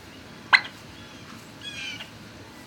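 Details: Turkeys in a barn, 26 March 2019 at midday: two loud abrupt clucks about two seconds apart, with a faint rattling trill between them over quiet hum.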